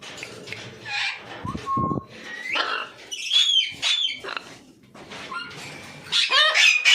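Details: A whistling and talking macaw gives a run of clear rising whistles mixed with harsh squawks and short, speech-like chatter in Urdu over about seven seconds.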